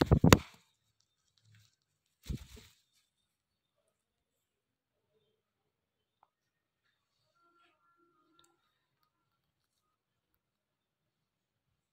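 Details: Two short knocks or thumps in a quiet small room, then near silence with only a faint, brief tone.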